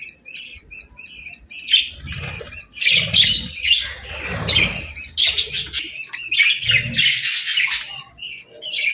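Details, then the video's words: Budgerigars gathered at evening feeding time with seeds and millet, giving dense overlapping chirps and warbles throughout, with bursts of wing flapping and rustling low in the mix. "Budgies Evening Fun 🕊️🌿 | Chirping Sounds & Feeding Time Delight 🐦"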